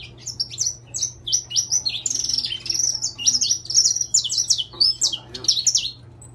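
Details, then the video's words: Saffron finch of the intense-yellow variety singing: a fast, continuous run of high, sharp chirped notes, each slurring downward, packed closely together over about six seconds, with a faint low hum underneath. "Canário da terra Amarelo Intenso cantando!"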